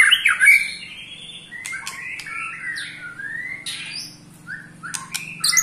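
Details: Eight-month-old white-rumped shama in ketrekan, a song meant to rile rival shamas: a sharp opening burst, then a string of short rising whistled slurs and scattered high chips over a low steady hum.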